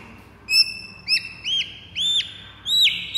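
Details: White-rumped shama fighter song meant to provoke other birds: clear upslurred whistles with hooked tops, each note repeated roughly every half second, spaced by short pauses, over a quiet background.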